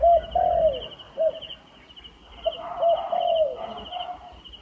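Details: Wild turtle dove near a trap, repeating a phrase of short hollow coos leading into a long falling croon, twice in under five seconds, against a constant high-pitched insect buzz.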